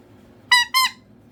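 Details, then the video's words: Captive pet cockatoo indoors making noise for attention: two loud harsh nasal squawks in quick succession, the start of a third at the end. "A Cockatoo Making Noises For Attention"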